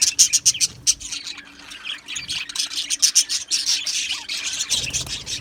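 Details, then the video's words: Australian budgie aviary colony, quick bursts of high chirps repeated several times a second in a pulsing rhythm, then a fuller, continuous warbling chatter from many birds. "Beautiful Australian Budgie birds Chirping Sounds | Budgie birds sounds"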